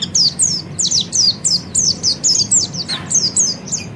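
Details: Rapid training song of an Oriental white-eye: loud, high, sweeping notes that dip in pitch, tumbling out several per second in an unbroken chattering stream with a faint hum underneath.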